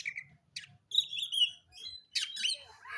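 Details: Oriental magpie-robin of the dark form, singing while seeking a rival to fight: a short buzzy note, a sharp chip, then a bright sustained whistle and a burst of rising and falling squeaky notes, with quiet gaps between.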